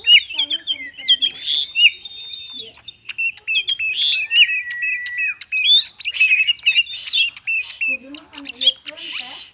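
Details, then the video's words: Caged white-rumped shama in a fast, varied song used to coax quiet shamas into singing: dense bursts of sharp chirps and whistled notes, clicks and rising and falling slurs, with a long steady whistle in the middle. "Kacer konslet cocok untuk pancingan burung kacer malas bunyi"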